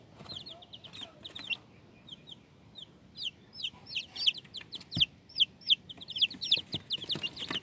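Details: Chicks of the domestic chicken peeping: high, short, squeaky down-slurred notes, sparse at first and then in quick, irregular bursts of several calls, with faint clicks and rustling behind.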